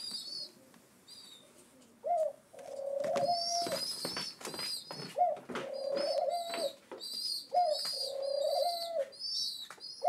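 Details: Several rescued pigeon chicks, seven days into care, beg for breakfast with clusters of shrill high peeps, alternating with long steady mid-pitched tones that rise sharply at the start, recurring about every two to three seconds.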